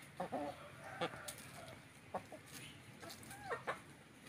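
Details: Rooster and hen of the Indonesian village chicken (ayam kampung): brief clucks and short nasal squawks in quick, irregular bursts, fairly faint against steady low background noise.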